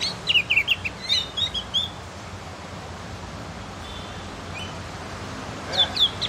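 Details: Javan White-eye, locally called opior jawa or cucak gentong, practising its song: a quick run of high, sharp twittering chirps for about two seconds, a pause with faint steady background noise, then another short chirpy burst at the end.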